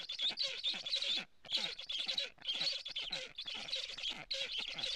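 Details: Black stork chicks at a nest in Estonia, live camera, mid-morning on 15 July 2017, with a strange stork around; long, noisy, scratchy hissing runs, broken by two short pauses.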